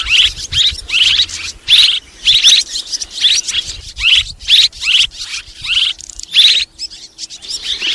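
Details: Two swiftlet kinds calling together, 2023 mix: rhythmic bursts of shrill, buzzy chirp clusters separated by short gaps, with a faint low hum beneath.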